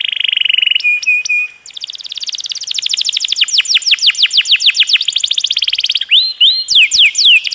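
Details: Tutor song of a canary prized for its long roll: a buzzy held tone, a few clipped whistles, then an extended rapid trill of falling notes at about three per second rising in pace, ending in looping upswept phrases.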